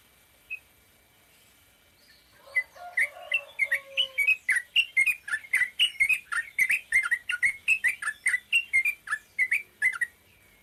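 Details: Sooty-headed bulbul in ropel pendek style, a single note then, after a pause, a long quick string of about twenty-five bright, evenly spaced chirps with bouncing rise-and-fall inflection, lasting some eight seconds.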